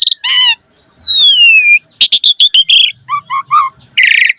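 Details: Asian pied starling in 'gacor' song with 'isian' fill-ins, played to prompt starlings to sing: a harsh buzzy note, one long smooth descending whistle, then clipped chatter and three low hoarse notes ending in a raspy burst.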